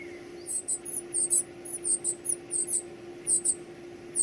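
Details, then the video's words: Baby birds calling during feeding, with clusters of piercing high squeaks in short pairs and triplets, a steady low hum throughout. "Feeding baby birds"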